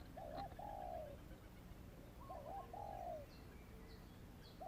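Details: Young spotted dove, newly started calling and not yet molted out of its wild plumage, used to lure wild doves: two soft, low cooing phrases, each a short note followed by a longer drawn coo, over steady background hiss.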